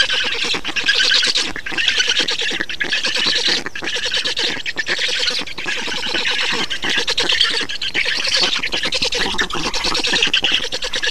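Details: Black storks being fed in Estonia on 2 June 2019: a long, unbroken chorus of grating, squealing calls with quick stuttering pulses, rising and falling slightly in loudness, with a few brief pauses.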